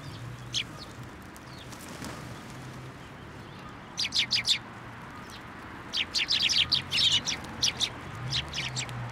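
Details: Sparrows gathering at a shrine pillar to be given food on 1 January 2024, at a Tenmangu shrine in Japan; bursts of sharp, high chirps run together in quick clusters around four and six seconds, with quieter chirps between.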